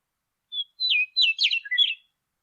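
A Western Meadowlark sings a quick jumbled phrase of rich, flutelike notes, starting with a clear whistle and ending in gurgling downslurs, all within about one and a half seconds.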